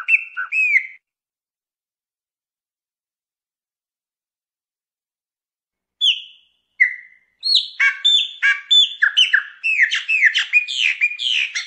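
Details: Song of the Chopi blackbird: a short phrase of whistled slurs, then about five seconds of silence before a denser run of sharp chattering and rising, falling whistled notes.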